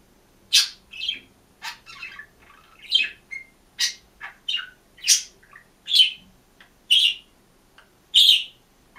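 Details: Green pet budgerigar, alone in a cage, chirping and singing: a string of distinct short chirps and squeaky notes, several dropping in pitch, spaced about half a second to a second apart, in quiet indoor surroundings.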